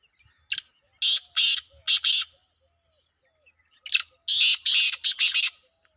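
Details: Kala teetar, the black francolin, in a calling competition in Pakistan, giving two harsh scratchy phrases of four and five grating bursts separated by a pause of about a second and a half.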